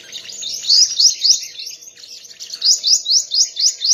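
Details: Sunbird contest song, loud very high chirps repeated about four times a second, each a quick rising sweep, in two rhythmic runs.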